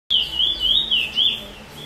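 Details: Chestnut-bellied seed finch, known in Trinidad as the bullfinch, sings a 'chee chor weet sweet roll' style song, recorded 22/06/20: clear wavering whistled phrases that rise and fall smoothly, ending in a fading note.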